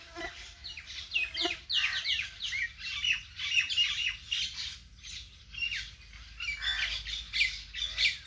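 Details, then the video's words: Dense chorus of many birds in a vegetable garden, a steady wash of sharp high chirps and squeaky calls overlapping without pause for about eight seconds. "vegetable Garden and natural bird sound"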